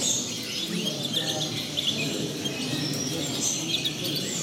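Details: A Black siskin × Two-barred crossbill hybrid finch sings a fast, continuous twittering of high, thin chirps and trills over a steady low background hum.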